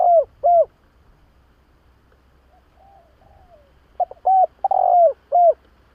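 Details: A spotted dove's cooing, played to attract doves to a trap. Two short hollow coos open, then faint soft murmuring, then a louder phrase of clipped notes and a long rolling coo near the end.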